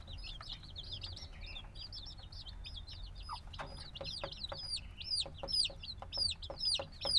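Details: A brood of black chicks hatched days earlier peeps in a field recording; quieter scattered chirps build into louder, clear falling whistles toward the end, with low background rumble and light tapping.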